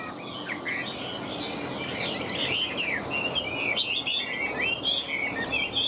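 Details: Caged Chinese hwamei with a fanned tail and wing display: steady flowing whistled song of quick slurred notes and warbles over faint background hiss.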